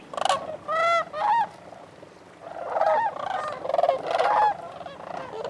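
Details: Cranes at Bosque del Apache calling in a flock: loud, rolling, trumpeting calls with strong harmonics. Several birds overlap in bursts, with a low murmur of more distant birds beneath.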